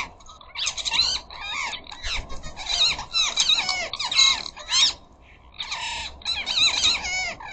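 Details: Ring-necked parakeets in flocks of up to a dozen at a garden bird feeder, chattering and squawking noisily: rapid runs of shrill, harsh, wavering screeches in dense bursts separated by brief pauses.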